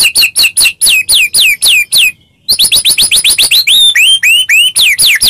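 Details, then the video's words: Lure recording of a white-rumped shama for rousing a silent bird: loud rapid strings of downslurred whistled notes, several per second, a brief gap, then more fast sweeping and upswept notes. "Pancingan Handal Buat Murai Diam Seketika Langsung Emosi"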